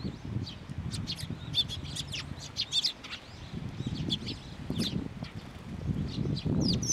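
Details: Flock of sparrows gathering on a bridge over water at a shrine to be fed, June 2023: dense bursts of short high chirps with bouts of wing flapping and a steady low rumble beneath.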